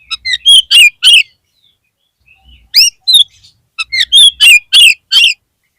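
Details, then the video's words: Oriental magpie-robin, locally kacer, singing as a lure for a kacer whose form has dropped: rapid loud series of rich, scratchy whistled notes in two bursts separated by a short pause, a few faint whistles between. "PANCINGAN KACER PALING AMPUH UNTUK MENAIKAN MENTAL KACER YANG DROP"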